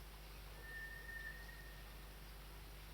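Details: White's thrush (nue) heard before dawn at 5 am on a cold 29 March, normally a summer midnight caller: a single faint, thin, monotone whistle lasting just over a second, set against steady low background hum.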